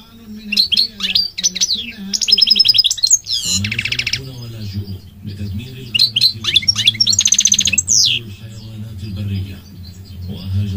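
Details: Long goldfinch song with bright twittering, downslurred whistles and buzzy rattles alternating with pauses, while a man's voice talks at low pitch in the background.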